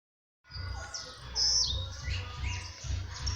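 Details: Blue-black grassquit singing: a bright, sharp high-pitched note after about one second, with softer chirps around it over a steady low rumble of background noise.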